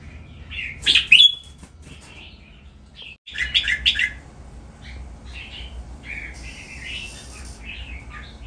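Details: Red-whiskered bulbuls kept as breeding stock at a bulbul breeding farm, singing playfully: bright chirpy warbled phrases in short bursts, some louder notes, with low rumbling background noise.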